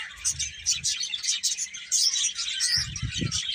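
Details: A crowd of birds chatters in high, quick chirps throughout, over intermittent low bumping noises.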